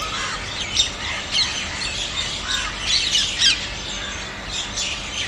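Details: A flight of Rose-ringed Parakeets passing overhead at dawn, before sunrise, heading to daytime haunts, gives harsh, shrill squawks in loose bursts about every half second to a second, over a soft outdoor hiss.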